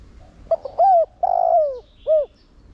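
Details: Spotted dove decoy bird in 'Thổ Đồng' voice style, cooing to stimulate other doves to coo: two quick clipped notes, an arched coo, a long buzzy descending coo, then a short final coo.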